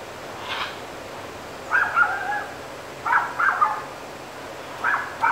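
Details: Scarlet macaws near Carate on Costa Rica's Osa Peninsula, wild birds grooming, feeding on palm nuts and squabbling; harsh, raspy squawks come in short separated bursts, about five in as many seconds, over a quiet hiss of forest background.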